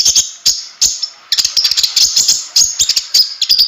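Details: Energetic (gacor) Konin song for tutoring other songbirds: very high, rapid chattering notes in quick bursts. A short gap comes near the middle, then a dense stream of sharp chips.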